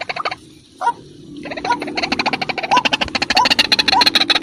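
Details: White-breasted waterhen lure recording for trapping: rapid, pulsing, stuttering call notes speeding into a dense rhythmic chorus, with short rising tonal notes repeated through the series.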